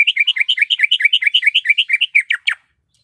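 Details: Greater green leafbird female in heat calling the male, a long rapid sequence of alternating high and low chirps about eight per second, closing with a few sharper downslurred notes and then silence.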